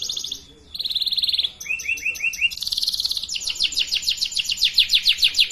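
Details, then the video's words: Canary song for training young birds to sing, made of varied high phrases: a brief buzzy burst, a rapid trill, a short run of lower swooping notes, then long fast rolling trills. "Pancingan kenari paud belajar bunyi"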